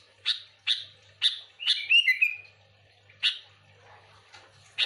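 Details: Sooty-headed bulbul, used to lure other bulbuls: sharp chirps repeated about every half second, then a brief run of bubbly whistled notes near the middle, with later scattered chirps and a low steady hum underneath.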